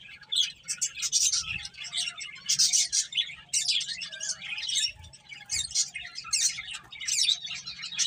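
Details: Finches eating and playing, trading bright, high chirps in clustered bursts separated by short gaps, with occasional soft low knocks in the background.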